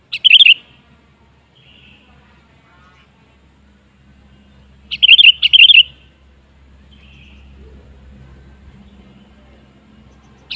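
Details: Sooty-headed bulbul lure song for prompting other birds to sing: brief, loud, gurgling whistled phrases open the recording and return about five seconds later, separated by quiet low hum.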